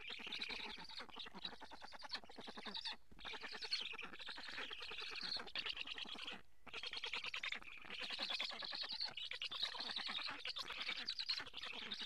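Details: Nest of black storks in Karula, Estonia, on a live camera in July 2017 during a fish feeding. Long continuous chorus of wheezy, buzzy rapid pulses with only two brief breaks.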